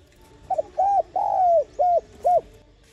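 A spotted dove coos five soft, low hooted notes in under two seconds, the middle one longest and slurred, over quiet background hiss.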